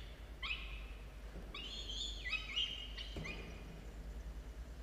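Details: Falcon chicks at the nest, two aged 17 and 13 days, filmed by a university nest cam near dawn, 27 October 2022; three short bouts of harsh harmonic wailing with wavering pitch, a thump near the end.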